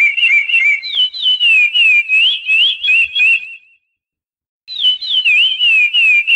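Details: Chestnut-bellied seed finch song: long sweet whistled warble sliding up and down in steady pulses, a brief break, then the melodic phrase resumes, no other sounds.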